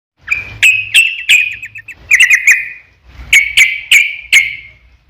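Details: Yellow-vented Bulbul in vigorous long-running 'ropel' song, used as a lure to make other bulbuls answer: three bursts of bubbly, chattering notes with sharp clicks, each burst trailing into a short rattle, separated by brief pauses.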